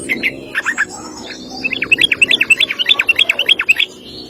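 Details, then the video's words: Rolling 'ropel' song of a Sooty-headed bulbul, recorded as a master track for training other birds: a few scattered chirps, then a rapid, steady string of about twenty clear, slurred whistles. "Trucuk Ropel panjang cocok buat masteran burung anda!"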